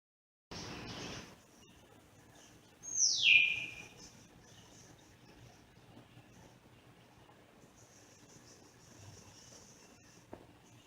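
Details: Grey parrot making a strange sound: a single quick, high whistle sliding steeply downward, preceded by a brief burst of noise, then quiet room hiss.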